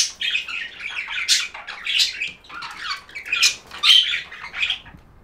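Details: Budgie warbling in rhythmic waves of scratchy, squeaky chirps, swelling and fading roughly every second, with one clear whistled note midway.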